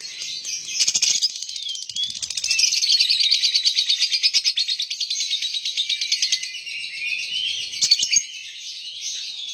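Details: Lovebird in sustained rapid trilling, a long stream of buzzy pulsed notes with whistled slides woven through.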